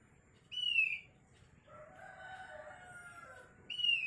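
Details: Asian glossy starling making an odd sound: a clear, high, downslurred whistle, a pause with fainter lower drawn-out tones, then another matching whistle at the end.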